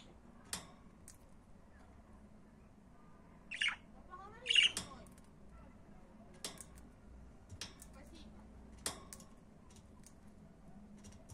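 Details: Pet budgerigars with two brief, harsh, scratchy squawks about a second apart, among scattered clicks and taps against a quiet hum.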